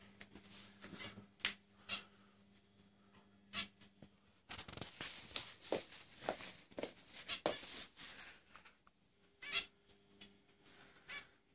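A zebra finch sings a rapid jumble of harsh, buzzy notes and nasal beeps over a faint electrical hum.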